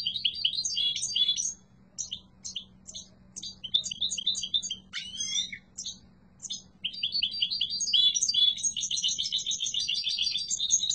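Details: Strong, lively song from a yellow mutation European goldfinch: scattered sharp chirps and jangling notes build into a long, dense, tinkling twitter near the end.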